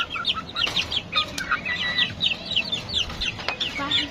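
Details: Hungry chickens, including a rooster, kept on a balcony and waiting to be fed, cluck together in a dense, overlapping chatter of short, sharp notes repeated rapidly throughout.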